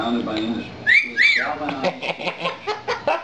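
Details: Household lilac-crowned amazon getting face time with its owners gives two rising whistled notes in quick succession, then short chortling syllables. A man's voice is audible indoors.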